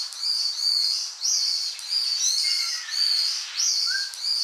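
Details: Ryukyu brown-eared bulbul on Miyako Island, Okinawa, giving loud, shrill, squealing calls in near-continuous bursts, with a few softer lower notes between them.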